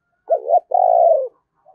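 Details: A single cooing phrase from a Thổ-voiced decoy Spotted dove: two throaty rising-falling notes and a long, steady, slightly descending coo.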